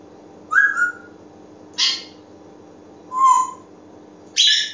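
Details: Pet African grey parrot calling indoors: short whistles alternating with harsh, noisy squawks, four sounds spread over about four seconds, above a steady background hum.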